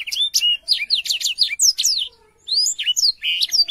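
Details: Energetic, clear Black-throated canary song of fast descending and rising whistled notes in close succession. A short pause comes near two seconds before the bright chirping resumes. Intended for teaching young canaries to sing.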